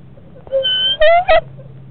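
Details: At a Florida nest box where barred owl eggs are about to hatch, during a moth delivery: a long, thin whining note, then a higher rising whine and a short clipped yelp, against a steady low hum.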